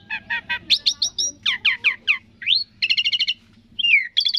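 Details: Rapid series of falling whistled notes from a Javan pied starling, then a rising slur, a rattling trill and a descending whistle, in energetic varied bursts.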